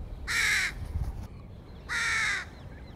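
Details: Crow feeding young, recorded 2022: two loud, hoarse, drawn-out caws roughly one and a half seconds apart, each harsh and buzzy, with quiet low rumble between them.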